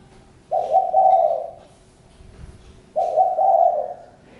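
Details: Two soft, hollow cooing phrases from a spotted dove, each a brief note followed by a longer, slightly wavering hoot, separated by a pause of about two seconds.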